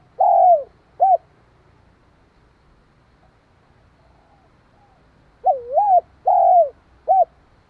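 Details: Spotted dove cooing to provoke and stimulate another dove. Two phrases of three low coos each, a wavering first note, a longer falling second and a short third, separated by a quiet pause with faint soft coos.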